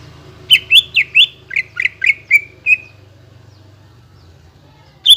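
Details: Greater green leafbird song meant to stir quiet birds into singing: about eight clear, slurred notes in quick succession, fading to a drawn-out final note, then silence and one sharp note at the end, over a low hum.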